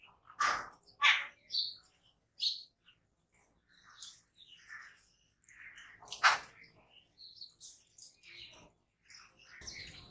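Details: Jungle babbler giving loud, harsh, rasping notes in short bursts, two close together near the start and another strong one later, with fainter chattering and high chirps between them.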